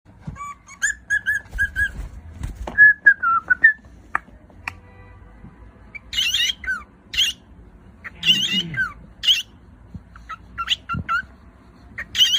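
A cockatiel whistles a tuneful series of clear notes broken by harsh, buzzy chatter.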